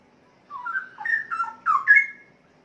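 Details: Adult male Straw-headed Bulbul kept in a cage, a breeding bird about three and a half years old that is beginning to sing decently; one loud, liquid warbled phrase of rolling whistled notes rising toward the end, in a quiet room.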